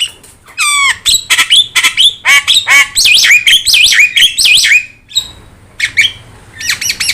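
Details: Yellow-eyed Javan myna, a chatty master singer for training other birds: dense harsh chatter and looping whistles for five seconds, a short pause, then more clipped squawks.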